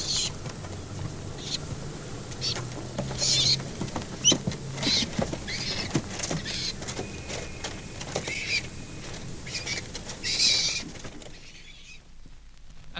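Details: At a back-garden nest, a hen feral pigeon gives low, gruff coos like a stock dove's while the young squab gives much higher, thin notes; both call together, with bursts of wing flapping.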